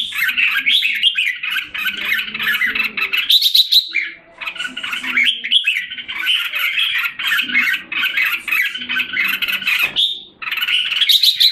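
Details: Red-whiskered bulbul in a cage in Singapore, July 2017, after a drop in form. It delivers long, dense, continuous warbling phrases broken by two brief pauses, loud and close.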